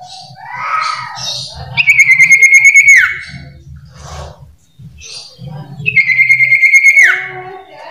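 Common iora giving two long, drawn-out buzzy whistles that hold steady then drop at the end, separated by softer chattering notes; a faint low hum underneath.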